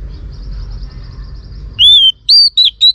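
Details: Oriental magpie-robin female calling to excite males: after a quiet start, a burst of clear whistled notes, one longer slurred note followed by three short, sharp ones.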